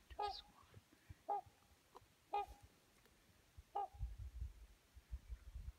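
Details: A pair of trumpeter swans gliding across a lake in Alaska give four short, nasal, horn-like honks about a second apart, with low rumbling wind or water noise beneath.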